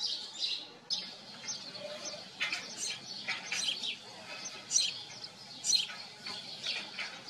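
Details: Several house sparrows at their farm home chatter in overlapping, uneven chirps and twitters, a busy jumble of short calls with possible wing flutters.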